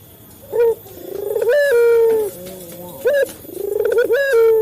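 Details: Male local Barbary dove cooing as a lure to get captive doves calling: a short sharp note, then a long swelling rolled coo that falls in pitch, a second sharp note and a renewed rising coo.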